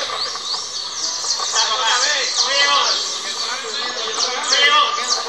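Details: Saffron finches, known locally as canario criollo, at a 2024 singing contest in Valledupar, Colombia: dense overlapping high chirps and rapid trills from several birds at once, with men's voices talking underneath.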